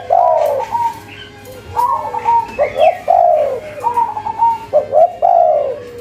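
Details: Cetrekan-style cooing of a local spotted dove, low hollow phrases of quick notes and longer coos, overlapped by thin whistled tones from another bird.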